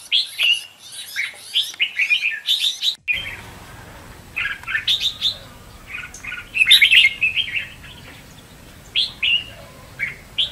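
Red-whiskered bulbul singing in lively bursts of bright, liquid whistled phrases, several notes per second with short pauses between.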